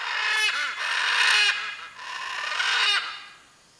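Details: Blue-and-yellow macaw, also called Arara-canindé, vocalizing to find its mate: a series of loud, raspy, braying squawks in three drawn-out bursts with short breaks between.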